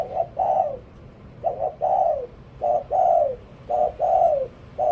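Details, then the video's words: Spotted dove decoy bird cooing steadily: paired notes, a short coo then a longer falling coo, repeated about four times within five seconds over a low rumbling background. "หลิ่วตัน เสียงนกต่อ นกเขาใหญ่"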